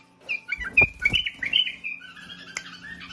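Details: Bulbul singing a quick run of bright, warbled whistles that slide up and down, with a few thumping knocks and a sharp click over a steady low hum.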